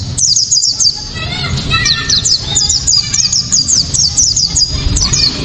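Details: White-eye in loud, sharp, clear 'tembakan' shooting song, used as a lure to get other white-eyes singing: rapid high thin whistled notes in quick descending flourishes, repeated in bursts, over a steady low hum.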